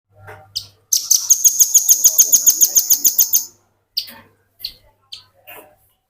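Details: Velvet-fronted nuthatch singing in the continuous ngebren style, kept as a tutor recording for training other birds: a fast trill of sharp, high, ringing notes, about three per second for over two seconds, then a few scattered chips.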